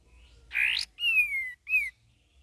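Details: Young sooty-headed bulbul practising its song: a harsh rising buzzy note followed by a long clear whistle sliding gently downward, then a short slurred whistled note.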